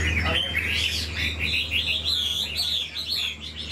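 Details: Chinese hwamei, an old wild-caught bird with an excellent voice and fast delivery, sings a fluid, continuous warble of looping whistled notes, rising and dipping without pause.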